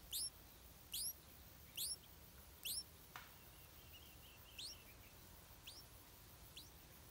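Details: Begging stripe-throated bulbul chick, fed insects by its mother: four loud, shrill rising chirps in quick succession, a single click, then softer repeated chirps fading out.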